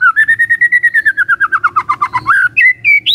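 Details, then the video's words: Lure song of a white-rumped shama meant to provoke other shamas: a rapid run of roughly twenty even whistled notes, slowly dropping in pitch, followed by a few higher sliding whistles. "Dalam Hitungan DETIK Murai Cepat NYAMBAR❗ Pancingan Murai Batu"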